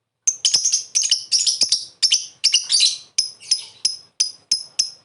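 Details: Lovebird calling and chattering (ngekek), played to draw a response from other lovebirds. A fast, shrill, scratchy run of overlapping chirps gives way to evenly spaced piercing single chirps about every third of a second.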